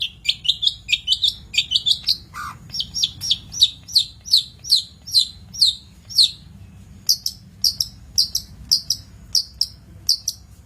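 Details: Long-tailed shrike, master recording for training birds: a fast series of sharp, high, upward-flicking chirps repeated several times a second in bursts, with a brief lower note near the start.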